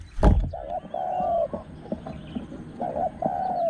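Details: Low, mellow Spotted Dove coos in paired short and long notes, answering during luring with a caged decoy; the wild dove is called small-voiced and fierce. A sharp tap opens the recording.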